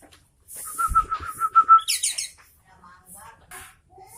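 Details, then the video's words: Sooty-headed bulbul singing vigorously: a rapid run of short, even whistled notes on one pitch, followed by a brief burst of higher chatter and softer notes. "Suara Burung Kutilang Gacor Garuda"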